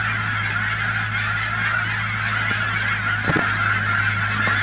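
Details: Massed Canada geese at Cheam Wetlands near Chilliwack, BC: thousands of birds honking at once in a continuous wall of sound, a low droning hum underneath and a brief sharp knock near the middle.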